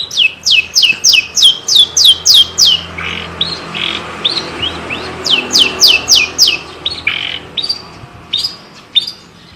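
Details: Javanese long-tailed shrike in full, clear song: a rapid series of sharp, high, slurred whistles, about three per second. A short pause precedes a second series of the same notes.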